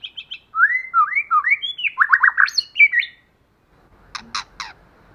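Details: White-rumped shama, female or male-and-female pair, singing a wild forest style lure song: quick high triplet, a run of rich rising whistles and buzzy stacked notes, then a pause and a few sharp clicking bursts.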